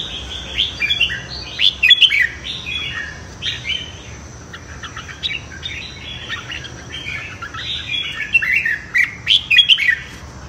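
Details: Red-whiskered bulbul singing competitively at morning voice training. Continuous chattering warble of short slurred whistles, loudest near the start and end, quieter scattered notes between.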